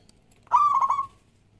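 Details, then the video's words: Single rolling phrase from a local zebra dove (perkutut), used as a lure to prompt other doves to sing; a half-second bubbling coo with three quick pulses, then quiet. "Perkutut Lokal Gacor Suara Yang Pas Buat Pancingan"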